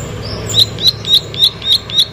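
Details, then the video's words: Plain prinia in lively song: six crisp, high, slightly buzzy notes repeated about every quarter second, over a soft low rumble. "Prenjak Sawah Gacor"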